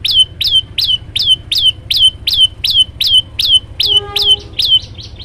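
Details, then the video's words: Olive-backed tailorbird in full vigorous song, a long rapid run of about sixteen sharp falling chirps, nearly three per second, the last few softer and quicker, with a faint low hum throughout. "prenjak lumut gacor variasi"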